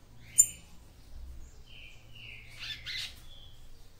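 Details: A capped seedeater female sings to stimulate her male, giving a sharp opening chirp, a thin drawn-out whistle, then a burst of buzzy tweets, with a low hum beneath.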